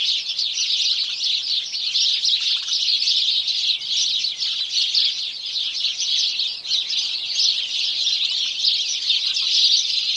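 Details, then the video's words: A dense chorus of many house sparrows, a continuous wash of overlapping chirps and cheeps with no pauses throughout. "House Sparrow Birds Chorus"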